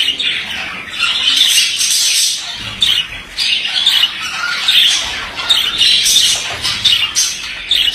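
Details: Male budgerigar in a steady, chattering warble, mixing harsh squawks with quick high chirps in overlapping phrases that swell and fade roughly every second.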